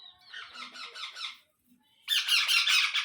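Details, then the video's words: Rose-ringed (ringneck) parakeet chick giving harsh, rapid, rasping squawks in two bursts, the second louder and shriller, about two or three calls per second, while an adult parakeet feeds the young. "Baby Parrot Sounds"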